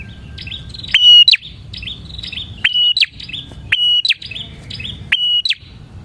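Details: Lure recording of a bar-winged prinia in vigorous song: high, clipped phrases of a steady tone ending in a sharp upflick, about five across the stretch, separated by softer chattering notes and low background hum.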